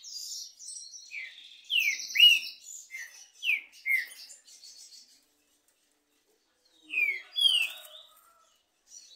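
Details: Two green-winged saltators (trinca-ferro) in a singing contest, canto and machiado style: loud clear whistled notes that slur downward, in short phrases with pauses, plus higher twittering and a brief gap before further whistles.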